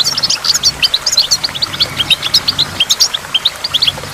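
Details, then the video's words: Goldfinch singing by a waterfall with water drops: a fast, continuous twitter of short high chirps and trills, notes tumbling over one another with no pause, over a soft steady rush of water. "in the waterfall stimulates goldfinch and water drops"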